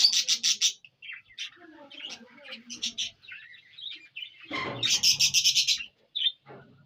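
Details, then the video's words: Indian ringneck parrot, Punjab, Pakistan: a quick burst of rasping screeches opens, then softer mixed chatter follows, before another rapid series of loud harsh shrieks near the end. "Indian Ringneck Parrot Taking Natural Sound"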